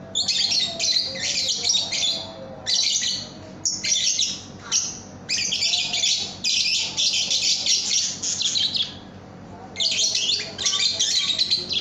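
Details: Lovebird singing as a training recording for cage birds: long, dense runs of shrill, scratchy chattering, broken by brief pauses, then resuming loudly.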